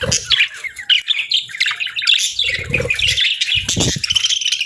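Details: Lively pet budgies keep up continuous twittering chatter, a jumble of quick chirps, trills and short squawky notes, with faint low knocks in the background.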